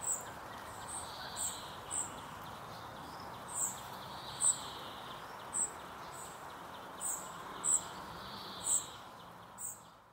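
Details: Spotted flycatcher chick begging its mother for food as she feeds it: very high, thin, short notes repeated about once a second, roughly a dozen in ten seconds, over a steady broad background hiss.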